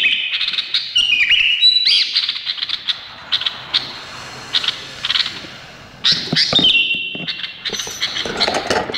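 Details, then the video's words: Indonesian bulbul pouring out loud mixed whistles, chatter and harsh scratchy notes, broken by a brief lull, then a steady whistled phrase. "بلابل بو فارس 20 BULBUL"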